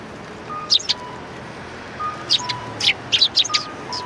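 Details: Sparrows welcome a person at a Tenmangu shrine's rear entrance, February 2020. High, clipped chirps come in small groups, while a steady two-tone electronic beep repeats in the background.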